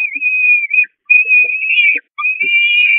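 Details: Peregrine falcon nestlings at the Catharinakerk, 5 May 2021, begging hard from their mother, who flees to the grate: three long, high, thin wailing whistles in quick succession, with faint soft knocks in between.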